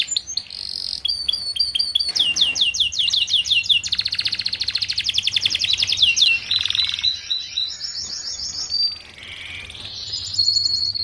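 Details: Canary singing in a tutoring recording for young canaries housed together: quick sharp chips, fast repeated swept trills, a long buzzy rolling rattle, then thinner drawn-out whistled tones near the end.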